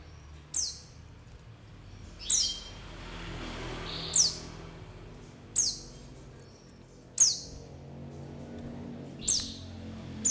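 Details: White-eye lure call: about six sharp, high, falling chirps, some with a short level whistle attached, repeated roughly every one and a half to two seconds against a steady low background hiss.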